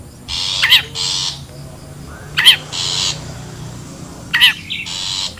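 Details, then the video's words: Long-tailed shrike, wild, recorded for luring birds: paired harsh buzzy rasps, each group led by a piercing squeak, repeated roughly every two seconds with quiet gaps. "SUARA ASLI PIKAT CENDET,PENTET ALAM LIAR"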